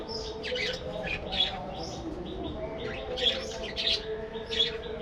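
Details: Captive budgerigars in a breeding colony aviary give short chirps and brief warbled bursts at irregular intervals, with a steady low hum underneath.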